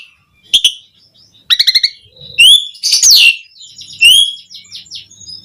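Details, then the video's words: Javan pied starling song played to spur other starlings: clicks, a quick rattle-like burst of stacked notes, a loud rising whistle and a harsh grating phrase, then softer trailing notes. "Suara Kicau Jalak Suren Gacor Mompa buat Pancingan OCEHAN semua Burung Jalak Agar Gacor Full Isian"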